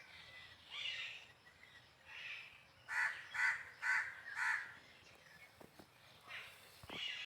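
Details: Peacock giving a series of four loud, nasal, ringing calls about half a second apart, with fainter calls before and after and a few clicks near the end.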